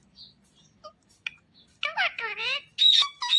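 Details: Indian ringneck parakeet, a green talking parrot, begins with soft isolated notes, then bursts into loud garbled speech-like chatter and finishes with shrill whistled squeals.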